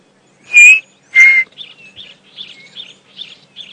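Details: Chinspot batis at 6:30 AM on July 11, 2016, on a morning safari drive at Djuma Game Reserve during drought: two clear, high whistled notes, the second slightly lower, then soft buzzy chips repeated about twice a second.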